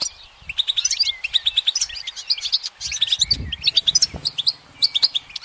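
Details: Goldfinch singing from a branch in sunlight: rapid twittering, tinkling notes and short liquid trills in dense bursts with brief pauses, a soft low thump midway.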